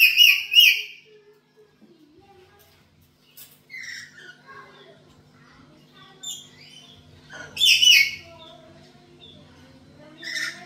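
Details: Chatty black-capped lory kept at home, recorded as a lure for other birds: a busy run of harsh screeches, scratchy squeaks and shorter varied notes with brief gaps.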